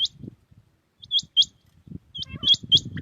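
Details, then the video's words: Early-morning common quail (batair) song from Pakistan, with short clusters of two or three crisp, high, rising notes separated by pauses, a low murmur underneath and a faint buzzy sound near the end. "Batair Ki naye Awazay| New Common Quail sounds| Batair Ki Awaz | Quail singing early morning in pak|"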